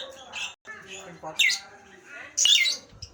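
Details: A Nias hill myna gives scattered shrill, squawky whistles in two loud bursts, over softer mumbled, speech-like sounds and background clatter.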